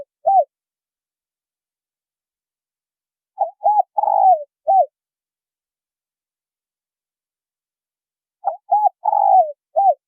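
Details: Spotted dove pair, male and female, giving a call used to provoke newly caught birds. Soft coo phrases about five seconds apart: two clipped opening notes, a drawn-out rolled coo sliding downward, then a short arched coo. Nothing else is audible.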